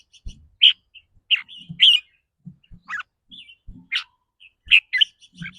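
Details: Rapid 'rik rua' or 'rik beurn' singing from a red-whiskered bulbul, whose style depends on its daily mood: clear whistled chirps repeated about every half second, with muffled low thumps beneath.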